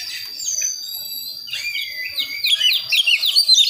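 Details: Young wild-born Priangan magpie-robin from West Java learning its song, moving from soft to rough chirping toward full 'ngeplong' notes; sparse whistles build into rapid, buzzy, downslurred chirps repeated about twice a second.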